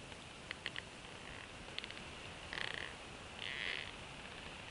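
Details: At a wild bald eagle nest in Northeast Florida, a female feeds freshly caught fish to two eaglets hatched late December 2015; brief clicky ticks, then two high, buzzy, squealing bursts close together, against constant background hiss.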